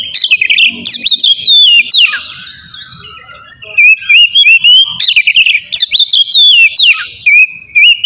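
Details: Kacer, the oriental magpie-robin, singing ngeplong style to stir rival birds: loud whistled bursts with quick slurred and trilled notes, a sliding downward phrase near the start, then a quieter gap before the bright bursts resume.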